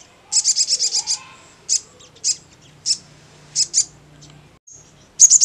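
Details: Crimson sunbird (sogon) ngleper song, meant to make other sunbirds answer fast; a burst of seven shrill high notes, then spaced single and double chirps, another burst starting at the end.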